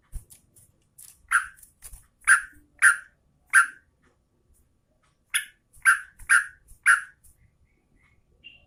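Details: Sooty-headed bulbul, presented as a female calling the male, giving two clusters of loud, short, liquid chirps, each cluster of three or four notes spaced about half a second apart, with faint clicks in between.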